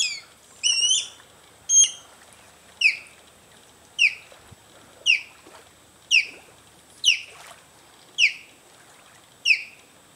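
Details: An osprey gives a steady run of clear, whistled, downward-slurred chirps, roughly one per second, after a few quicker doubled notes at the start; quiet background otherwise.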